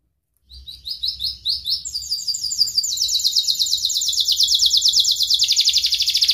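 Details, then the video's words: Singing canary, played as a lure to teach young birds and restart canaries that have gone quiet: rapid repeated high chirps building into a long, dense, fast trill that runs unbroken to the end. "kenari gacor panjang Cuit Cuit EMOSI, Pancingan Kenari Paud Belajar Bunyi, terapi AMPUH Kenari MACET"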